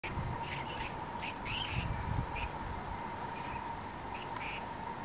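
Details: Purple-crowned lorikeet (Parvipsitta porphyrocephala) feeding on nectar in Numurkah, Australia, in 2015, giving shrill, very high-pitched buzzy screeches in short clustered bursts over a faint steady hum.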